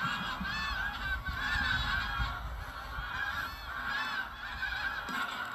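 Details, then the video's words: Geese of many kinds (Canada, White-fronted, Pink-footed, Brent, Greylag) rising at sunrise from North Norfolk coast marshes at Burnham Norton, September 2022, phone recording: loud, dense honking swelling and ebbing in pulses. "Geese taking to wing at Burnham Norton"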